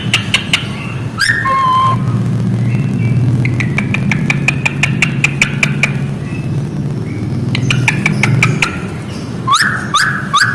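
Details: A kept songbird Australian magpie, said to be calling chickens, gives varied whistled notes and rapid clicking bursts, some sliding upward, over a steady low rumble.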